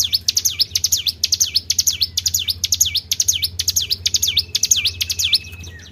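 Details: High-pitched Tribel bird notes played to draw in other birds, each a quick downward-then-upward swoop, repeated about twice per second in an even series over a low hum.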